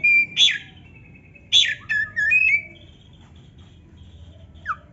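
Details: Oriental magpie-robin song used to stir lazy birds; loud whistled notes with sharp upward and downward slurs, a short scratchy phrase, then quiet before a single falling whistle near the end.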